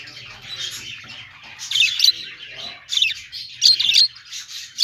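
Budgerigars chatter with bright, scratchy chirps and warbles in irregular bursts.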